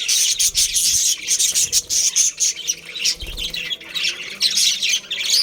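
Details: Breeding pair and colony of budgerigars producing continuous shrill twittering and squawky chirps from several birds, with a few soft low thumps of movement underneath.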